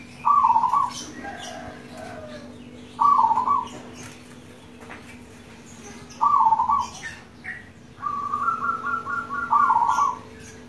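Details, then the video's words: Local zebra dove giving four bubbling, trilled coos about three seconds apart, with a rippling run of higher repeated notes before the last one and a steady low hum underneath. Used to encourage kept doves to sing. "Pancingan ampuh perkutut lokal gacor"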